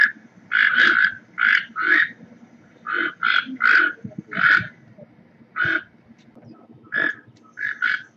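Toco toucan giving harsh, rattling croaks, mostly in pairs or short runs, about a dozen notes in eight seconds, with brief pauses between bursts.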